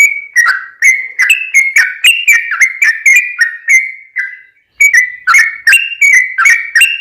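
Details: Sooty-headed bulbul song for luring other bulbuls into singing: a steady series of clear, slurred whistles, some falling and some stepping upward, with one short pause midway.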